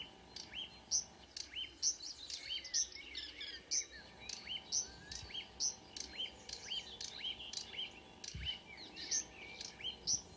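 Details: Marsh warbler in June at dawn, Kråkstad, Norway, a couple of birds singing; a varied run of high whistled and chirping notes, some phrases repeated several times, about one each second, with faint background hum.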